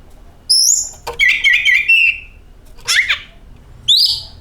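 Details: Singing oriental magpie-robin used as a lure: a high whistle, then a tumbling run of chattering notes, a harsh descending burst and a final bright whistle, separated by short silences.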